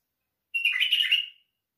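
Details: One brief warbled phrase from a white-eared bulbul, under a second long: a clear starting note followed by fast tumbling, chattery syllables, otherwise silent.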